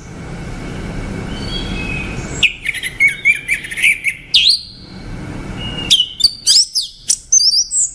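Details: Orange-headed thrush song: two long runs of rapid, tumbling whistled notes that sweep up and down, rich and varied, separated by a brief pause, over faint background hiss.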